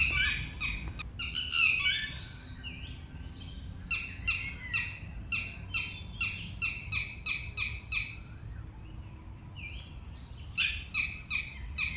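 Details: Near water in Phutthamonthon Buddhist Park, Thailand, a Red-wattled Lapwing gives its loud, shrill alarm call, warning as someone approaches, in rapid bursts of about three notes per second with pauses between series, over a low rumble.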